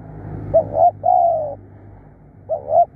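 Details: Kept spotted dove used as a decoy, a fierce, eager caller, cooing a low soft phrase of two short notes and one long sustained falling note. A second phrase begins near the end over a low background hum.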